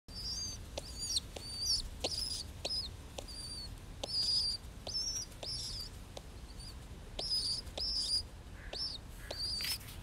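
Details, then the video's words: A baby pigeon being cuddled gives thin, high, squeaky peeps in quick, uneven bursts, with soft rustling and tapping from handling underneath. "Baby pigeon sound"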